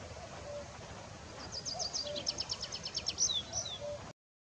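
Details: Tree Pipit delivering a high, bright trill of quickly repeated sharp notes that grows louder, then closes with short whistled slurs, over faint low murmuring and steady outdoor noise.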